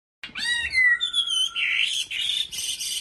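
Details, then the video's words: Caged Chinese hwamei from Bình Định singing: a bright opening of bending, falling whistles that flows into broad, buzzy, rasping notes, loud and continuous for about three seconds. "Họa Mi giọng hót cực hay và chuẩn"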